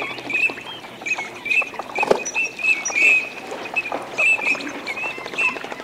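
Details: Wild Eurasian teal in courtship display, Aiguamolls de l'Empordà wetland park, Spain, 25 December 2015: a flock's short, high, clipped whistles repeat roughly every half second throughout, with soft splashing and rustling beneath.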